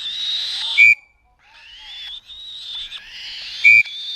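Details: Black-shouldered kite chick, 35 days old, kept in falconry and being fed: harsh, hoarse, upslurred screeching calls running almost continuously, with two brief piercing pure-tone beeps cutting in.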